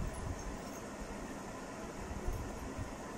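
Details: Continuous low droning hum of machinery or a passing train, with no animal sounds.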